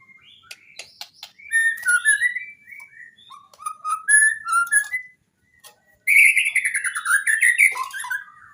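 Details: Training recording of white-rumped shama song meant to prompt reluctant singers: soft scattered notes build into varied whistled phrases, a short pause, then a loud rapid buzzy warble falling in pitch.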